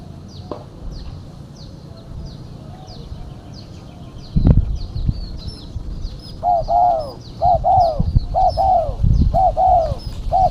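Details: Female spotted dove call used to lure birds: after a stretch of high thin chirping from other birds and a loud thump, rhythmic arched coos start and repeat steadily to the end.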